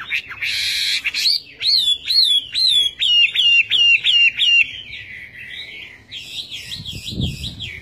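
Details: Loud Chinese hwamei song opening with a harsh burst, then about ten ringing, rising-and-falling whistled notes in rapid series. Softer warbled, wavering phrases follow. A brief low thump is heard near the end.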